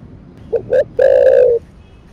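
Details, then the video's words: Close spotted dove giving its thổ đặc thúc coo: two brief notes followed by a single long, even, low note lasting about half a second. "Cu gáy THỔ ĐẶC THÚC Kích Bổi . ( THỔ SẤM )"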